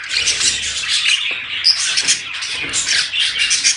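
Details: Chorus of budgerigars, a sound meant to encourage mating: busy, overlapping high-pitched twittering and raspy chirps with no pauses, one clear short whistle briefly rising above the crowd.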